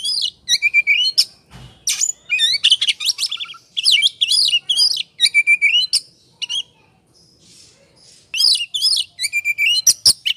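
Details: 'Ngobra' song of an oriental magpie-robin used to lure other birds into singing: loud clusters of wavering whistles and rapid chirps in short phrases separated by brief pauses, with a harsh note near the start.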